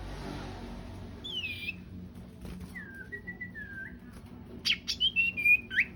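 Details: Sooty-headed bulbul pair, male and female, in lively song: a thin rising whistle, a run of level liquid notes, then a burst of loud bright chirps in quick succession near the end.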